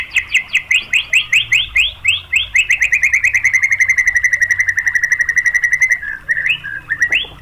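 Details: White-rumped shama song aimed at provoking other shamas into singing: upslurred notes that speed up into a long fast trill slowly falling in pitch, then a few scattered whistles.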